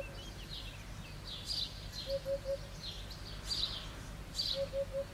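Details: Eurasian hoopoe song: two bursts of three soft, low, hollow hoots, about two seconds apart, under steady high chirping from other birds and a faint outdoor hiss.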